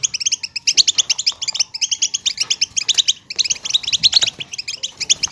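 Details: Goldfinch batbata used to stimulate a caged goldfinch to sing: rapid runs of sharp, tinkling chirps crowded into bursts of about a second, separated by short gaps.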